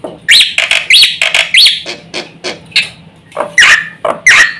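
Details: Black-winged myna singing to provoke other mynas into calling: harsh, varied squawks and buzzy upward notes in an irregular jumble, some loud and some softer, over steady low background noise.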